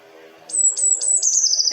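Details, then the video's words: Eurasian blue tit song: four very high, thin notes about a quarter-second apart, then a quick, slightly lower trill, with a faint low hum underneath before it starts. "ahora escuchamos un herrerillo escuchen"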